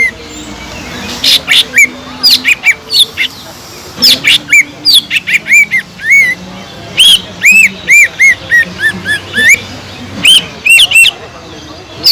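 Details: Green leafbird (cucak ijo) singing energetically as a lure for unresponsive birds: bursts of sharp chips and squeaks, then runs of bright arched whistled notes in quick series.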